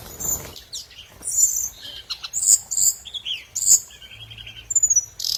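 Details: Scarlet minivet lure song heard as scattered piercing high notes, brief sharp clicks and a few soft warbled phrases, delivered irregularly with short pauses between bursts.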